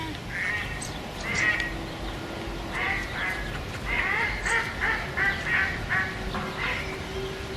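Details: Duck giving a loose run of short, raspy quacks, some clustered closely together, against constant low background noise and a faint hum.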